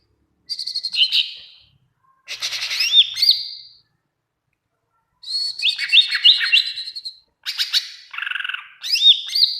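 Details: Greater green leafbird in energetic full song, used as a training recording to make other leafbirds answer: bright high whistled phrases with quick upslurred notes and buzzy chattering trills, delivered in four bursts separated by short pauses.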